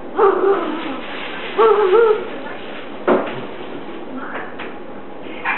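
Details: Pet Catablue macaw talking while watching TV: two bursts of wavering, voice-like harmonic sounds about a second apart, then a sharp squawk near the middle and scattered fainter utterances in a quiet room.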